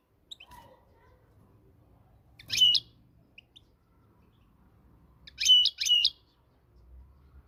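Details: European goldfinch of the Moroccan kind giving two loud, bright chattering phrases, each a quick double burst of ringing, buzzy-edged notes, about three seconds apart, with near silence between them.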